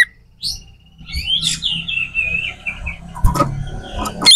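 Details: Oriental magpie-robin singing to provoke rival magpie-robins into responding and fighting, a training recording for contest birds: a long run of whistled notes slurring downward around mid-pitch, with a low background hum and a few sharp clicks near the end.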